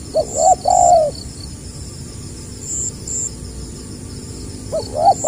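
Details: Spotted dove, 2020, stuttering 'gagap' style: one phrase of two clipped notes and a longer coo at the start, quiet, then another phrase beginning at the end. Insect pulses continue.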